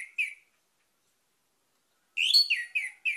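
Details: Orange-headed thrush lure song, played to get other birds singing: short whistled notes, a gap, then a fast run of loud, slurred whistles with a descending tail.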